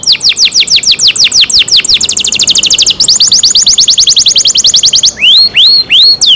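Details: Canary cared for by its owners: quick falling trilled notes, then an even faster higher roll, a change to another rapid trill, and finally slow, loud rising-then-falling whistles spaced roughly every third of a second.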